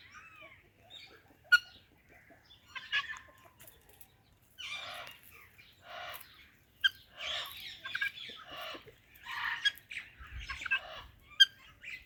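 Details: A talking ringneck parakeet greeting an Alexandrine parrot gives a few curling whistles, then a run of harsh, raspy, speech-like chatter in quick bursts, with sharp clicks between.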